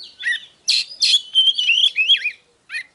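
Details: Oriental magpie-robin song used to stimulate other magpie-robins: a few harsh raspy notes, then a wavering whistled phrase that rises and falls, followed by a short pause and one final harsh note.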